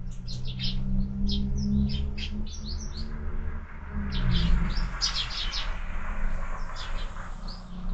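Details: Rapid, excited chirping from sparrows at a morning window feeder, quick tweets pouring out about three to four per second, with a droning mechanical hum running beneath throughout.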